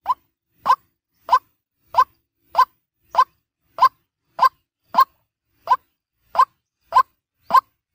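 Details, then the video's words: White-breasted waterhen lure call for daytime: short, hollow, plopping mid-pitched notes repeated steadily about every two-thirds of a second, twelve or so in a row, with silence between. "Suara Ruak ruak pikat Siang hari | waterhen sound"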